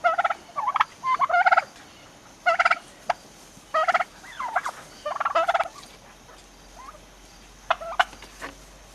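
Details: Turkeys almost six months old calling in short harsh bursts with rattling, stacked tones, one every second or so, with quieter gaps and a faint squeaky note between bursts.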